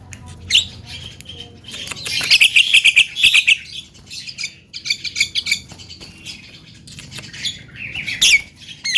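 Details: Harsh, dense chattering from a young Javan myna singing with many fills, bursts of scratchy high notes rising and falling in loudness, ending in a sharp upward whistle.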